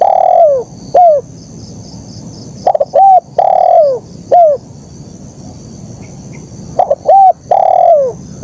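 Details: Repeated KUK 1 style phrases from a vigorously singing spotted dove. Each has a short lead-in, a steady coo, a long descending coo and a crisp final slur. Faint background hum throughout.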